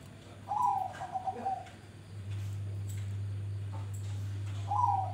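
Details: Grey-bellied bulbul (cucak rante) singing two low whistled phrases, the first wavering and descending over a second, the second starting near the end, with soft clicks and steady hum between.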